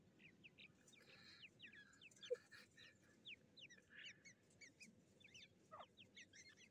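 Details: Fighting black francolin chicks, 18 July 2024, give short, nasal, honking squeaks in quick irregular series, rising and falling, over a steady low hiss of background noise.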